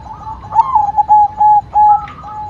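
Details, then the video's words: Perkutut, a white zebra dove, delivering a string of short cooing notes, the first rising and wavering, then three drawn-out level coos and a higher closing note. "Perkutut Putih Gacor Suara Mantul"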